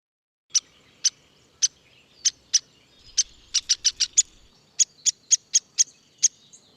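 Downy Woodpecker giving sharp, short 'pik' notes, about seventeen in six seconds at an uneven pace, sometimes in quick runs.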